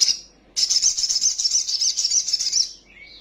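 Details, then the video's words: Sunbird (kolibri sogok otong), a young bird quick to anger, giving a full, agitated song as a lure: a short high note, then an unbroken two-second shrill, rapidly pulsed trill fading into a soft lower whistle. "PANCINGAN BURUNG KOLIBRI SOGOK OTONG BAHAN CEPAT EMOSI BUNYI FULL ISIAN SOGON NGELEPER"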